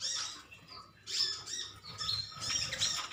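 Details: Sunbirds of a metallic green colony chirp at one another. Brief, high squeaky twitters come in two bursts with a short gap between them.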